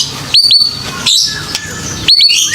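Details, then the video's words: Brief white-rumped shama sounds from a lure meant to get young birds singing: paired sharp upward-flicked whistles, a soft note, then another quick pair, over low background noise. "Suara Pancingan Khusus Burung Muda Agar Berani Bunyi"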